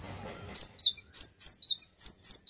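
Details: Male cinereous tit singing steadily: a fast run of bright, high whistled notes, each with a rising and a dipping part, repeated about every quarter second, over a quiet background.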